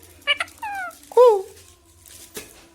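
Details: Indian parrot, a rose-ringed parakeet, talking in a quiet room: two quick clicks, then a falling drawn-out note and a louder slurred rising-falling syllable, followed by a soft rasp.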